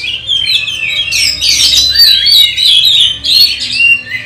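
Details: Oriental magpie-robin singing during training for a songbird contest; loud, varied, jumbled whistles and scratchy notes, sliding and overlapping, with a busy burst in the middle.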